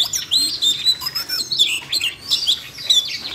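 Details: Excited caged Siberian rubythroat singing in response to training sounds: thin, high, sweet whistled notes strung together with quick scratchy trills, continuous across the phrase.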